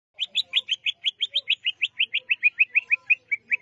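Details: Greater green leafbird singing in the njegrik style: a rapid, evenly paced series of about twenty short, sharp chirps, roughly five per second, holding a steady high pitch against a quiet background.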